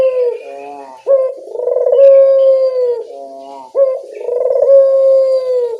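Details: Local dove, puter, cooing as a lure to make birds respond: repeated cycles of a short rolling phrase followed by a long, steady, slightly falling coo, about every two and a half seconds.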